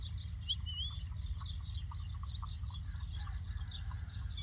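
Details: A lark in the Doukkala region of Morocco pours out a continuous, rapid stream of high, twittering chirps and trills over a steady low rumble of wind.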